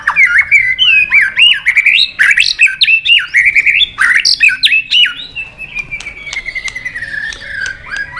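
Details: White-rumped shama in competition song, long forest-voice style, used to stir up rivals, tail flicking as it sings. Dense, fast warbled whistles with sweeping loops give way to a long, gently falling run of quick repeated notes.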